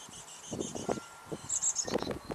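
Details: Chickadee nestlings give a thin, high, hissing chorus of begging calls, with short scratchy rustling bursts underneath, as the mother brings food to the hungry, noisy babies.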